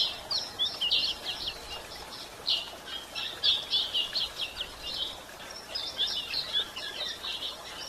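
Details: A female white-throated seedeater calls to excite males, giving rapid high chirps and short scratchy twitters in irregular bursts of about one second, over faint constant background noise.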